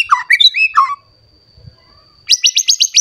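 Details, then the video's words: Agitated white-rumped shama calling out for a rival: a few rich, slurred whistles, a pause, then a rapid run of sharp, high, repeated chips. "Pancingan Murai Batu Emosi Mencari Lawan Bikin Murai Lain Langsung Emosi Bongkar Isian"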